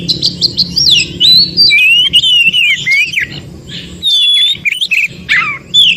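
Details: Wild forest Oriental magpie-robin, its song aimed at getting stalled magpie-robins to sing: a rapid string of chips, then flowing whistled phrases, a long even whistle, and a sharp falling note.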